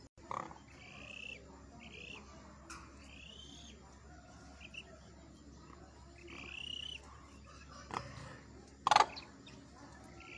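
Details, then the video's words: Demoiselle crane, known locally as koonj, in Pakistan: faint, distant, short ringing calls with harmonic overtones, some slightly rising, given irregularly every second or two over steady hiss, with a sharp loud click near the end. "Demoiselle crane sound | Birds of pakistan | कूंज, کونج, ਕੂੰਜ | Koonj"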